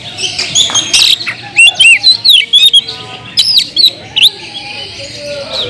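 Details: Oriental magpie-robin (kacer) in loud, provocative song aimed at other magpie-robins. Varied sequence of rising and falling whistles, harsh chips and quick twitters, delivered in fast clusters.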